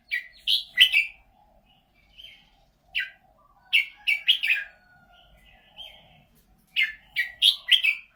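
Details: Red-whiskered bulbul singing a series of short, bright whistled and warbled phrases in quick bursts of two to four notes, separated by brief pauses, over a faint steady low hum.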